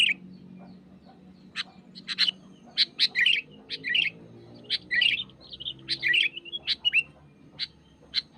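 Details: Irregular bursts of crisp clicks and quick warbled, chattering phrases from a wild sooty-headed bulbul pressing a rival, spread over about eight seconds.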